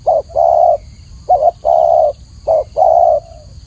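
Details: Spotted dove, known as tekukur, singing clearly for a tutoring recording: three phrases, each a brief rising-falling coo and a sustained smooth coo, close together; quiet steady background hum.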